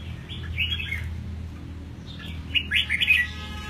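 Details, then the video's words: Caged eight-month-old red-whiskered bulbul, just through its moult, singing short bright warbled phrases in two bursts separated by a pause, over a steady low hum in the background. "Chim Chào Mào Hót"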